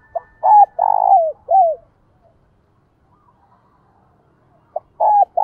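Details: Lure spotted dove in 'thổ' voice calling to wild doves: a full phrase of a short note, a clipped coo, a long rough coo and a falling coo, then a quiet gap before the next phrase begins.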